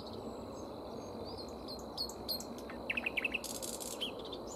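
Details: A Common Whitethroat foraging on leaves and flowers of a tree, with a nightingale singing nearby, gives a brief, scratchy warble of quick, varied high notes with a short chattering burst over a steady hiss.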